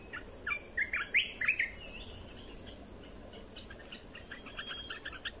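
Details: Red-whiskered bulbul in a cage, song for teaching fledglings and exciting birds: an opening phrase of rising, clear whistled notes, followed by softer, more distant chattering notes toward the end.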